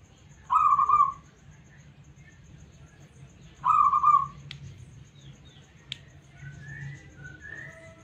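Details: Local zebra dove (perkutut) with a clean voice, used as a responsive lure bird: two trilled, beaded coo phrases about three seconds apart, then a couple of sharp clicks and another bird's rising whistles.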